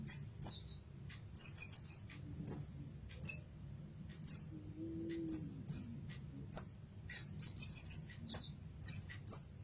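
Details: Olive-backed sunbird, known locally as kolibri ninja, in a master recording: around twenty thin, high, piercing chips, some single and some in quick runs of four or five, with a soft low hum underneath.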